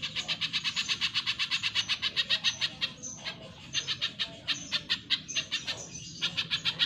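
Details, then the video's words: A spiderhunter sings a fast, steady run of sharp, high chips, about four a second, with brief pauses between bursts. "Masteran Pijantung Pisang Gacor"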